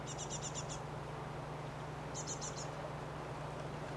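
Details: Great tit in spring in a garden within a residential area, feeding its young; a quick series of six sharp, high clicking notes, a pause, then four more, against a steady low hum.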